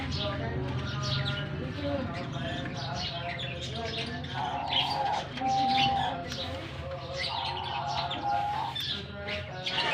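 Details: Lovebirds released into a colony aviary in Germany at the start of the summer season; a dense flock chorus of squeaky high chirps and twitters over steady mid-pitched whistled tones and a low continuous hum.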